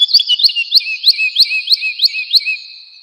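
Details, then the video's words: A woodlark (Lullula arborea) sings in a spring forest, a run of liquid, slurred notes, about three per second, each dipping then rising, over a faint steady high hiss. "Woodlark (Lullula arborea).Birds Singing and Chirping in Forest."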